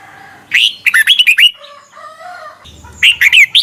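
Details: Red-whiskered Bulbul singing in Thailand, a recording used to teach young birds the song; quick chain of rich, slurred whistles, a softer lower warble in the middle, then another bright burst of notes.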